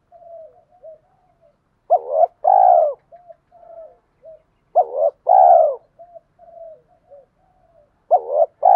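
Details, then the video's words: Spotted doves, male and female, calling to stimulate kept doves to coo: paired bursts of a clipped note and a rich rolling coo, repeated every three seconds, separated by soft low murmuring notes. "Tiếng chim cu gáy kích bổi mới hiệu quả"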